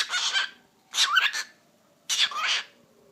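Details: Captive cockatiel imitating human speech, saying the Turkish words "eşek sıpası": three scratchy, breathy phrases with a short rising tonal sweep in the middle, about one per second, no other sounds.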